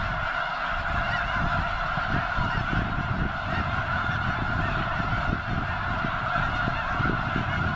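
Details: Continuous clamour of countless honking snow geese massed near the eastern end of Potholes Reservoir before their likely northward migration, with heavy low wind buffeting underneath.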